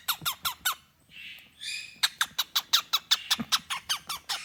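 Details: A 24-year-old rescued male cockatiel making silly noises when touched on the face gives rapid, sharp squeaky chirps in a quick series, broken by a brief hissing rasp.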